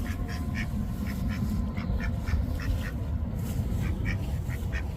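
Ducks give a rapid run of short, nasal quacks, several to the second, over a heavy low rumble of wind or traffic.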